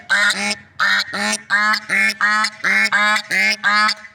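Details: Swans outdoors give a loud, steady run of about nine nasal honks, often in quick pairs, roughly two each second, with bright, brassy overtones.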